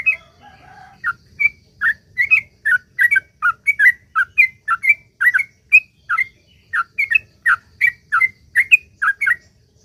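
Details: Fast 'ropel panjang' song of a sooty-headed bulbul, used as a lure for other bulbuls: a faint low whistle at the start, then a steady rapid series of bright slurred notes, about three each second.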